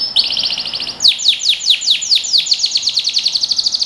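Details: Trained-song canary recording for young birds: a rolling high trill for a second, then a long accelerating series of sharp, downward-sweeping whistled notes.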